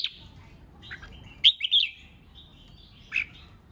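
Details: Red-whiskered bulbul singing competitively to provoke rival birds: short, bright whistled phrases, a quick rising-and-falling burst in the middle, then one more clear note after a pause, over faint low background noise.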